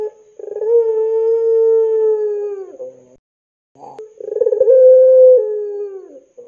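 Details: Long-voiced pelung Barbary dove, lure sound for young birds: a sustained steady low coo of nearly three seconds, a pause, then a second coo opening with quick throbbing pulses before levelling off.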